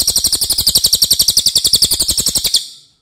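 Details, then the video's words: Racket-tailed treepie, known for a long, loud voice and used as training material for other birds: a single continuous rapid series of harsh chattering notes, about four per second, fading out at the end. "MASTERAN CILILIN OKE BANGET"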